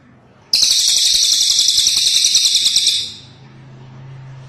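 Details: Cililin bird singing: a sudden, loud, dense high chatter with rapid pulsing trills, sustained for about two and a half seconds before stopping abruptly, followed by faint low hum and background quiet.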